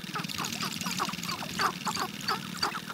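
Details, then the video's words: Sharp-tailed grouse in courtship display; a busy chorus of short clucking, cooing notes repeats rapidly over a low hum, with louder sharp yelps near the middle and end. "Sharp-tailed Grouse Courtship Display"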